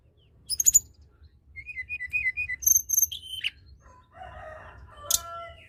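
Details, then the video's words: Tledekan gunung, the blood-breasted flowerpecker, in lively song used to stimulate quiet birds: sharp high ticks, then a run of quick mid-high whistled notes and a buzzy note, followed by a lower rasping passage with faint hum. "Tledekan gunung gacor!! sangat cepat merangsang bunyi burung tledekan malas bunyi"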